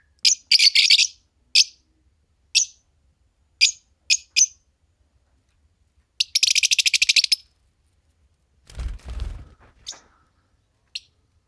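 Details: Green Fischer's lovebird pair: a burst of harsh chirps, then scattered single shrill notes, a dense rattling chatter, and a soft low rustle or thump partway through.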